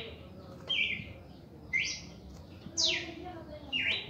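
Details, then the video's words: Reaction song of a red-crested cardinal, four loud clear whistled notes spaced about a second apart, alternating level and descending slurred shapes, with soft low background noise. "Canto de Cardenal Cardeal 1°Reacción en Canto"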